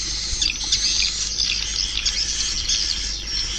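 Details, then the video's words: Swiftlets twitter in a busy, unbroken mass of shrill squeaks and short chirps, all high-pitched, over a faint steady whine. "Suara Walet 5"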